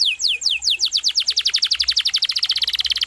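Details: Gacor canary: descending whistled sweeps speed up into a dense, steady rolling trill of rapid notes.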